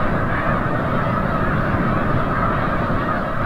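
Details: A large flock of snow geese returning from the bay at sunset at Forsythe National Wildlife Refuge, Oceanville, New Jersey, keeps up a constant, overlapping din of nasal, yelping honks.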